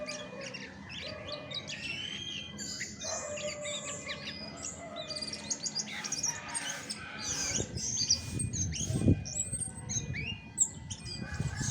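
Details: Chestnut-backed thrush (Geokichla dohertyi), natural voice: dense run of varied high chirps, trills and short whistled slurs, a steady thin tone running throughout, low rumbling thumps growing louder near the end.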